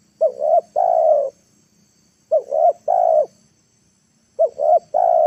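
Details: Spotted dove used as a decoy to draw wild birds down to the ground, recorded in the afternoon in Indonesia. It gives three cooing phrases about two seconds apart, each a quick double coo and then a longer, drawn-out mellow coo.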